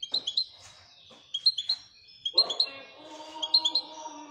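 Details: European goldfinch of the type called royal, twittering in short bursts of sharp high chirps, with a lower buzzy, tonal sound running beneath the second half.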